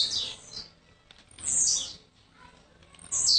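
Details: Kept blue-black grassquit from Jacarepaguá, Rio de Janeiro, newly arrived the previous day, giving thin high buzzy notes that slur downward, three phrases spaced about a second and a half apart, light room noise behind.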